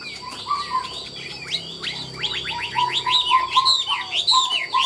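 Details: Caged Chinese hwamei offered for sale, said to nod while singing ornamented, trilling phrases nonstop: rapid slurred whistles sweeping up and down, with quick downward strokes and a steady low whistled note repeated beneath, growing louder toward the end.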